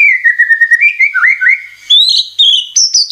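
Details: White-rumped shama (murai batu) song in a rich whistled phrase. Low, slightly wavering whistles step upward into higher, clear notes that repeat quickly toward the end.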